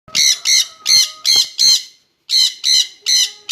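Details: A pair of jenday conures together, giving harsh, piercing screeches in two quick bursts, five then four, with a short silent gap between them.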